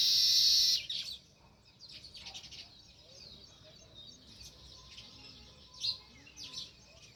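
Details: A loud, sharp, sustained chirp opens, then sparrows near a village nest keep up softer, scattered high tweets with small peaks near the end, over faint low background rumble.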